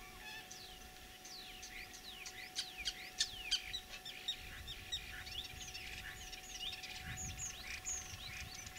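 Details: Mimicking common starling in spring, Tver region, Russia, 9 April 2023: a rapid jumble of sharp rising and falling whistled sweeps and clicks, about three per second, growing busier midway, over a low hum and soft rumble.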